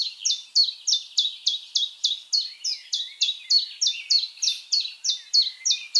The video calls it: Common Chiffchaff